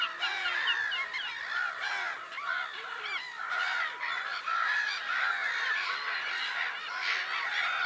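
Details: Black-headed gull flock at Lake Sarymsak, Pavlodar region, Kazakhstan, 10 April 2011. Short, rasping, downslurred cries pile up constantly from numerous birds, forming a steady noisy chatter.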